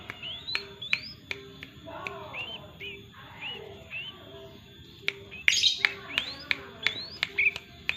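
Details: Vigorously singing yellow-vented bulbul giving short, clear upslurred whistles, some in pairs, then a livelier burst of chirps near the end over soft background chatter and a low hum.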